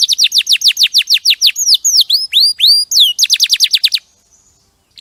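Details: Champion canary singing as tutor material: rapid run of sharply down-slurred whistled notes, then slower upturned hooked notes, then another quick tour of down-slurs before stopping into near silence.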